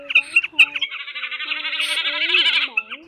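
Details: Common snipe in a night-trapping lure recording for the migration season: a few sharp clipped notes, then a long grating, vibrating buzz lasting nearly two seconds before the clipped notes return.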